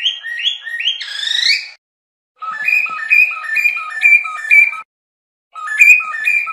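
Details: Whistled cockatiel song made of repeated two-note stepped phrases, each rising from a lower to a higher pure tone, played in quick sequences separated by short silent gaps.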